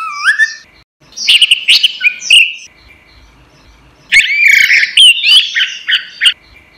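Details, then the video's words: Caged-songbird training recording of orange-headed thrush song: rising whistled notes, then loud warbled phrases mixing slurs and chips, a quiet gap, and another long varied burst of whistles and trills. "suara burung anis merah | gacor | masteran"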